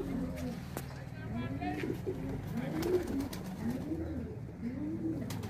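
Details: Indian pigeons cooing in low, swelling, arched phrases over a steady low hum, with occasional faint background voices and sharp ticks.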